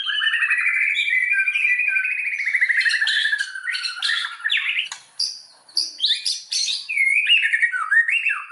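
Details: White-rumped shama song used as a lure to stir other shamas into full song; a long buzzing trill gliding slowly downward, followed by sharp clicks and varied loud whistled phrases.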